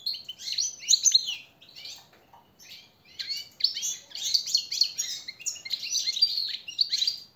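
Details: European goldfinch training song for captive birds, rich rapid twittering and tinkling trills, with a quieter pause around two seconds before a long continuous phrase.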